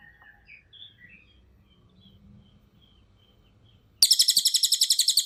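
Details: Cililin singing as a tutor recording for other birds: faint distant chirps and a low hum for four seconds, then a loud, fast, steady trill of sharp high notes at the end.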